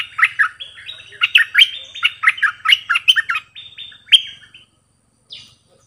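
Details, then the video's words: Bulbul used as a decoy, singing many songs: a fast, rollicking sequence of clear whistled chirps rising and falling over about four seconds, ending with a single louder note and a faint last chirp. "เปิดดอกเพลงเบิ้ล!!ร้องหลายเพลงSuara merbah lekir gacorbahanan"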